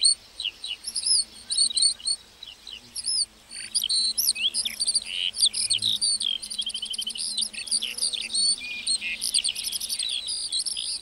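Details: A meadow lark pours out a long, unbroken, high-pitched warble of rapid trills, chirps and slurred notes. Only brief gaps break the steady, energetic song.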